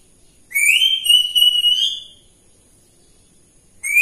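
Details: Grey parrot kept as a pet, vocal in the morning: a long sustained whistle that climbs slightly and holds for about a second and a half, followed by silence, then the start of another whistle at the end.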